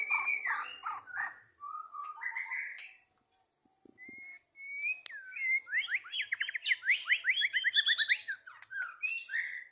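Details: White-rumped shama song from a 2023 bird competition setting: mellow whistles and chips, a brief silence, then a long rising whistle leading into a rapid, loud rolling series of sweeping notes.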